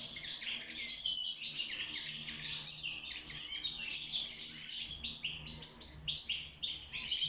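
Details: Wild European goldfinch held in a cage, singing for mating and nest building; energetic, unbroken high twittering song of fast chirps, metallic tinkles and rasping buzzes.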